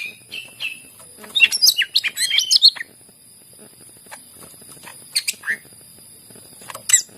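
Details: Greater green leafbird song meant to prompt other leafbirds to sing: a quick jumble of bright chips and twittering whistles, then scattered single notes after a pause, with a constant high-pitched hum behind.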